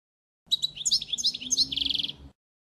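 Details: European goldfinch model song for training young birds: a single phrase just under two seconds of bright, jumbled liquid twitters that runs into a rapid, even buzzy trill. A faint low hum sits underneath.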